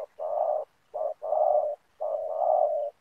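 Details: Hoarse, even coos from a spotted dove used as a decoy for luring wild doves in ground snare-net trapping: one short note followed by long sustained ones in a quick rhythmic sequence.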